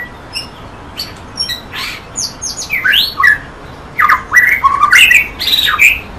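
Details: White-rumped shama song beginning with soft scattered notes, then building into loud, looping whistled phrases that twist up and down in quick succession.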